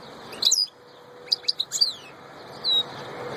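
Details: A European goldfinch, called a royal goldfinch, sings scattered high tinkling chirps in short clusters, with a brief thin whistled note at the end and a steady low hiss behind.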